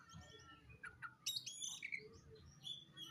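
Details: Black oriental magpie-robin looking for a rival, giving a busy tangle of whistles, chirps and a sudden loud ringing, slurred phrase mid-way, with scattered softer notes and low background noise throughout.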